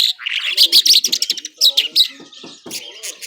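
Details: Skylark of the Irani Mashadi type, a kept bird, singing powerfully and nonstop: a quick, varied run of sharp chirps, trills and whistled notes, dense in the first two seconds, then sparser clicks and chirps.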